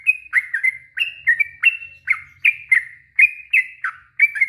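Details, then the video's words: Yellow-vented bulbul in long ropel song, used to provoke other bulbuls into answering: bright, bouncing warbled notes in quick succession, each a short rising-falling gurgle, with faint low background noise. "Suara trucuk ROPEL PANJANG"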